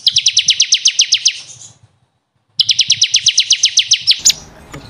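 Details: Bar-winged prinia, ciblek kristal, training song for caged birds: two fast rattling trills of high notes, each lasting over a second, separated by a short silence.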